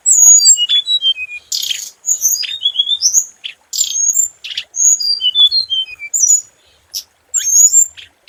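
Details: Lively scarlet minivet song: almost continuous high whistles, with quick descending note sequences, occasional harsh buzzy bursts and short pauses between phrases.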